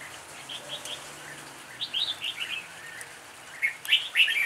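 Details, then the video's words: Improvised song of a red-whiskered bulbul: soft scattered notes at first, then a bubbly, chattering phrase in the middle and a louder burst of bright, sharp whistles at the end, with faint background noise. "chào mào ngẫu hứng"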